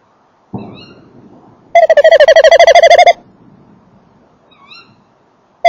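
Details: At a nest box, a male tawny owl gives a fast tremulous trill of evenly spaced pulses lasting over a second. Faint thin high squeaks come before and after it, along with a soft rustle and a knock.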